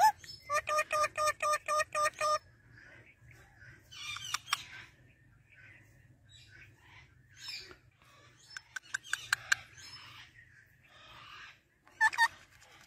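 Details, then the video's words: Male rose-ringed parakeet from Pakistan talking in Urdu or Hindi: a fast run of about a dozen evenly spaced, buzzy harmonic notes, then scattered scratchy syllables and short clicks, with a steady low hum behind. "Ra Parrot Talking"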